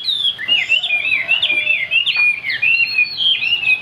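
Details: Chinese hwamei, a caged Vietnamese songbird with a fig-leaf tail praised for its high song, pouring out a continuous rich warble of looping, swooping whistles and sharp upward flicks, loud and unbroken for the whole stretch.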